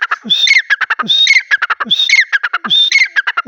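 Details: Harsh, grating francolin call, a rhythmic squawky phrase of a sharp rising note followed by clipped chattering notes, repeated steadily about every 0.8 seconds.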